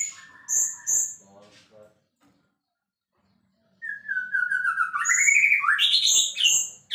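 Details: White-rumped shama singing a long sliding whistle, then a fast jumble of loud high notes, after a quiet pause.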